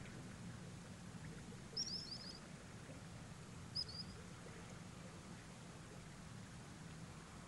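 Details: Common sandpiper in the UK giving two brief bursts of thin, high piping notes, the first a quick run of four or five, over steady rushing water or wind.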